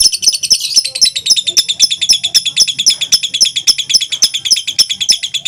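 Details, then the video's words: Two fighter lovebirds in a close singing contest, song lasting over two minutes: loud, shrill, high chattering of rapidly repeated notes, about five per second, with sharp clicking pulses and faint low background sounds. "2 LOVE BIRD FIGHTER MENTIL DURASI TEMBUS 2 MENIT"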